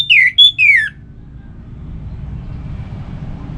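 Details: Orange-headed thrush song used to coax kept birds into song: one brief phrase of three loud whistled notes sliding downward, followed by quiet low background hum.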